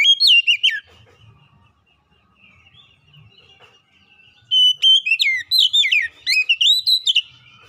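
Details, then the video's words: Kacer (Oriental magpie-robin) lure song to provoke a silent bird into singing: a brief burst of downward-swooping whistles, a quiet pause, then a sustained three-second stream of fast, varied chirps and fluty notes. "kicauan Kacer pemikat | Kacer malas bunyi terpikat langsung gacor"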